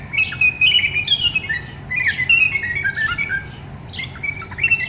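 A bulbul gives bubbly, squawky chattering calls, short warbled phrases bursting out every second or so, over a faint low room hum.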